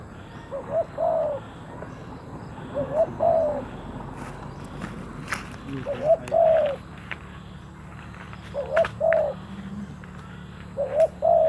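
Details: Captive decoy spotted dove calling to lure wild doves, giving about five low hollow cooing phrases, each a short two- or three-note coo-croo, spaced a few seconds apart, over faint background hum and occasional clicks.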